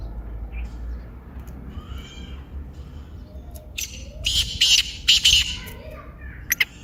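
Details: Black francolin (kaala teetar) in lively calling: faint chirps at first, then a loud series of harsh grating bursts in a stuttering rhythm, and two short sharp notes at the end.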